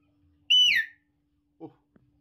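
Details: Pet talking hill myna whistling a single loud note that holds level and then slides downward, with brief soft thuds afterward and a man urging it to call.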